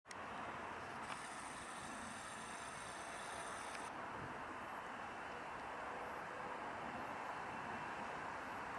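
Steady broadband outdoor rumble and hiss, like distant traffic, with a brief higher hiss in the first four seconds and no animal calls.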